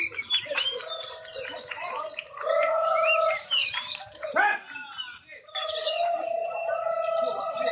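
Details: Contest lovebirds judged on lively, continuous chattering; bursts of busy, scratchy high twittering alternate with short pauses, over a sustained mid-pitched tone and murmuring crowd.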